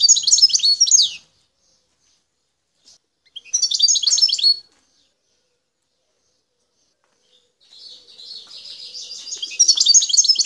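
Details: Wild goldfinch, Bouthelja, El Tarf, Algeria. Bursts of fast, jangling twitter with sweeping high notes alternate with silent pauses. The last phrase builds gradually from a soft buzzy start into full, lively chatter.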